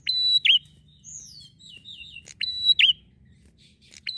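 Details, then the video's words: Lively 'ngalun' singing from a bar-winged prinia, meant to lure wild prinias: a flat high whistle ending in a swooping down-up note, given twice, with soft rippling chirps filling the gap. "prenjak gacor ngalun"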